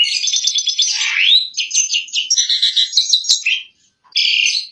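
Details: Asian pied starling singing vigorously for songbird training: an almost continuous stream of chattering, rasping and rising whistled notes for over three seconds, a short silence, then another loud phrase.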